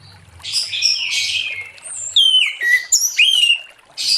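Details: Late-afternoon ngeplong song of an orange-headed thrush, meant to prompt other thrushes to sing. Bright whistled notes that slide downward come in quick succession. Buzzy chirping from other birds is heard earlier.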